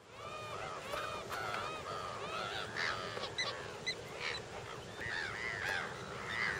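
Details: Lesser flamingo flock at Lake Nakuru, Kenya, filmed in summer 2011: a dense chorus of overlapping goose-like honks and short arched nasal calls, many birds calling at once with a steady murmur beneath.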